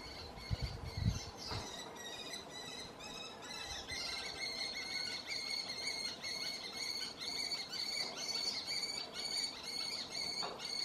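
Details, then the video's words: Canary Islands kestrel at Tijarafe, La Palma, giving call and mating sounds: a steady run of shrill, squealing notes, about two a second, with a few low thumps near the start. "Canarische torenvalk roep en paringsgeluid"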